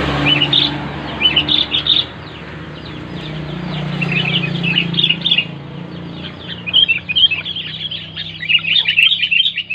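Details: Sooty-headed bulbul calling clearly, used to spur reluctant bulbuls to sing: short groups of chirpy, bubbly notes come in separate bursts over a steady low hum.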